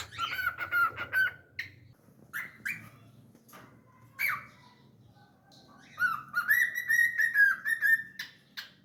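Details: Pet cockatiel singing: quick whistled notes, isolated chirps with gaps, then a long wavering whistled phrase of linked notes near one pitch.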